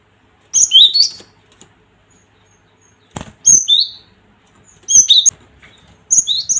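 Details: Cinereous tit song used to provoke fighting birds: four short bursts of high, piercing chirps, each note dropping in pitch, separated by brief gaps, with faint soft thumps.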